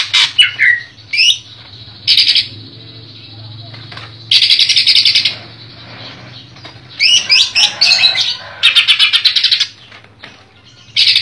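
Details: Cucak ijo, or greater green leafbird, from a collection in Comal, Pemalang, sings besetan rapat: looping whistled slurs mixed with dense buzzy rattles of fast repeated pulses, several bursts over eleven seconds, with a faint low hum behind.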